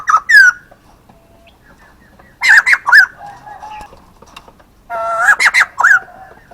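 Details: Male white-crested laughingthrush calling in three loud bursts of rich, harmonic notes that rise and fall. Each burst is a rapid string of four or five notes, with short quiet gaps between bursts.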